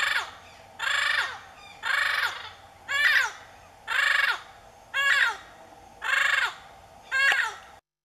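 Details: A female double yellow-headed amazon in the field gives eight loud, harsh, grating squawks, about one per second, each a raspy burst with a rough, wavering edge; another bird calls back, suggesting a mated pair.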